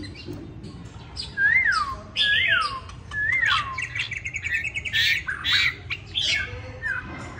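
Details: Caged tame hwamei in Hanoi, Vietnam, with one white feather and not yet in top condition; loud downslurred whistles repeated about once a second, followed by fast chattering trills and bright varied notes.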